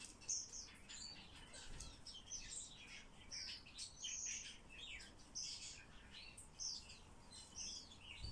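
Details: Continuous rattling chatter of squeaks, clicks and harsh buzzy notes from a common starling being taught to talk, steady in loudness throughout.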